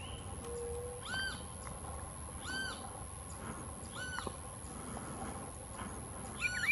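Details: Rufous-browed Peppershrike at Las Macanas Marsh, giving a series of clear arched whistled notes, each rising then falling, repeated about every one and a half seconds over a faint steady background hiss.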